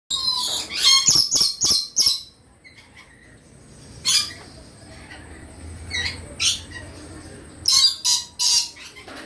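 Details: A Moluccan red lory (Eos bornea) gives harsh, rasping shrieks in quick bursts of three or four, then pauses before another volley.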